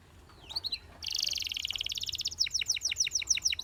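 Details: Singing canary: a couple of soft chirps, then a dense buzzy rolling trill held for over a second, followed by a string of loud, quick downward-sweeping notes repeated steadily. Low background hiss.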